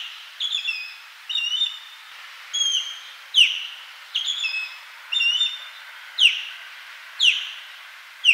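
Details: Osprey calling in a steady series: flatter, drawn-out double whistles alternate with sharp, downslurred piercing cheeps, roughly one call each second, with faint hiss behind.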